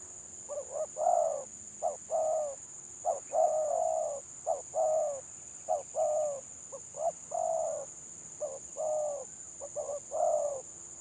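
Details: Stammering 'gagap' spotted dove from a village, heard against a second stutterer: repeated phrases of a short lead-in note and a fuller low coo, regularly spaced across the stretch, with a thin high electrical whine.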